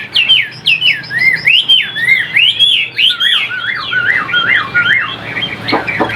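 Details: Chinese hwamei, a captive bird from a seller, singing a loud, fluent run of rich whistled phrases. Looping, slurred notes rise and fall and repeat quickly, ending in sharper chattering notes over faint room noise.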